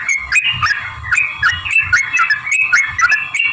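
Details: Sooty-headed bulbul in lively, full song used as a lure to set other bulbuls singing: bright, bouncing warbled notes in a rapid jumble, with a steady hum and low rumbling underneath.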